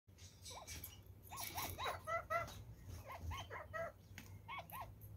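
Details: Captive Red-crowned parakeets feeding on carrots give short, nasal, arched chirps in loose runs of two or three, mid-pitched and slightly harmonic, over soft rustling and crunching of eating.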